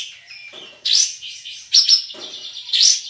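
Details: A caged contest Olive-winged Bulbul from West Kalimantan gives three loud, bright chirping bursts, each followed by a sustained warbling high note, between softer trills.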